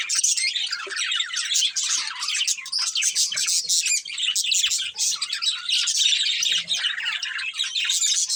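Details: Budgerigar breeding pair giving continuous chirping: dense, rapid, high twittering and warbles with scratchy notes, hardly pausing throughout.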